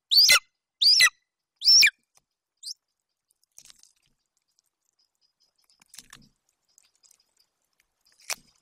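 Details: Young golden eagle at its Bucovina nest, 27 July 2021, calling while standing over hare prey from its mother. Three loud, shrill falling cries in rapid sequence, followed by near silence with faint ticks.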